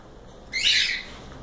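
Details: A single cockatiel gives one drawn-out, harsh screech lasting about half a second, rising and then falling, against faint background hiss.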